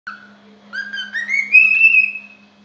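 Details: A happy cockatiel (Nymphicus hollandicus) in a singing mood whistles a clear, pure tune that steps upward in pitch and ends on a long held note.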